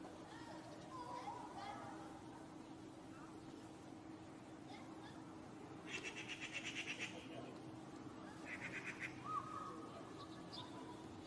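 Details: Two bouts of harsh machine-gun chatter from Eurasian magpies, a pair nesting in a courtyard that pester a cat: a longer rattle of many rapid rasping notes, then a shorter one, with faint bird calls and a low hum.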